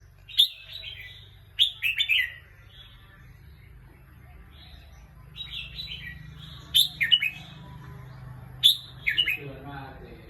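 Red-whiskered bulbul giving short, bright, bubbling whistled phrases in four or five bursts a couple of seconds apart, over a low steady hum.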